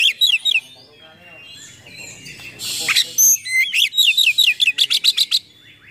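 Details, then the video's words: Oriental magpie-robin in full song with harsh filler notes, meant to provoke and tutor other magpie-robins; whistled slurs, a burst of rasping noise, then a rapid series of sharp repeated chips. "Kacer Gacor Full Nembak Isian Kasar Bikin Emosi Kacer mu"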